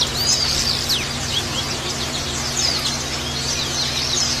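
Thin, high twittering of Oriental white-eyes, quick sliding whistles tumbling over one another continuously, with a low steady hum underneath.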